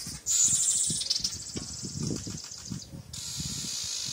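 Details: Male weaver bird attacking its own reflection in a mirror, as it does every morning: a harsh, sizzling, high buzz that starts abruptly, runs for about three seconds, breaks briefly, then resumes as a steadier hiss over soft low thumps.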